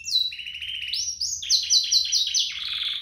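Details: Canary duo song, meant as a tutor recording for young canaries. A long whistled note falls away, then the song steps up into fast buzzy repeated phrases and ends in a lower rattling trill.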